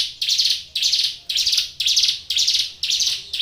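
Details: Ciblek gunung prinia singing hard: seven scratchy, insect-like buzzes in a regular series, each starting sharply and trailing off, about two per second.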